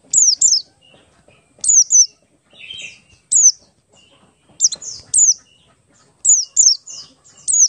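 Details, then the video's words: Lure song of a Buxtoni Oriental white-eye in ngalas style, for prompting others to sing: high, thin, falling whistled notes in doublets and triplets, spaced by short gaps, over a quiet background. "pleci Buxtoni ngalas 12345 pancingan pleci bahan agar cepat bunyi"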